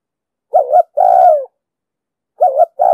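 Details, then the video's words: Spotted dove, 'giọng đồng sấm' voice, used for luring doves to traps: one complete phrase, a short doubled hoot then a long falling coo, followed after a gap by the start of another. The background is otherwise silent. "Tiếng chim cu gáy giọng đồng sấm,thúc gù bài bản,đi bẫy, tập bổi,kích mồi,dụ bổi cực sát"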